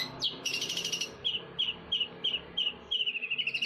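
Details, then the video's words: Shrike-style 'cendet Damar Wulan' song of a Eurasian tree sparrow, Jember: a brief harsh buzzy burst, then a string of clear, slightly downslurred chirps every third of a second, closing in a quick run. Steady background noise. "Suara burung gereja versi cendet Damar Wulan"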